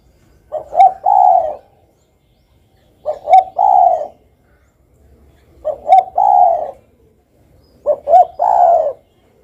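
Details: Repeated spotted dove call: four evenly spaced phrases, about every two and a half seconds. Each is two brief hoots followed by a drawn-out, gently descending coo against a quiet background.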